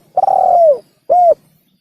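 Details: Spotted dove call used as a hunting lure: a long cooing note sliding gently downward, then a short arched coo after a pause, clean and close with no other sounds.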